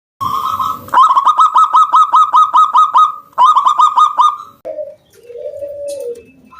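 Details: Local wild zebra dove singing strongly to lure other doves into singing: a fast run of about fifteen clear, bubbling coo notes at one steady pitch, briefly broken, then softer, lower drawn-out coos at the end.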